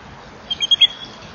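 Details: At 07:36 in the morning, a little grebe gives four quick, high, thin notes in under half a second, close together like the start of a trill, over a faint hiss, while a kingfisher waits nearby for fish.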